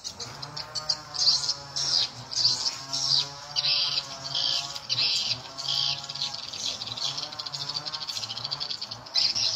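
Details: Edible-nest swiftlet lure recording, the 'SP Tripel Queen' sound, played to draw swiftlets; high chirps and twitters in bursts about every second, with a low steady hum underneath.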